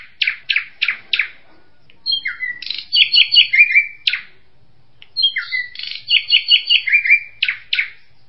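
A kingfisher gives high, sharp repeated notes, then quick chattering runs ending in upward-slurred whistles, in two bursts separated by a pause. Nothing else is heard.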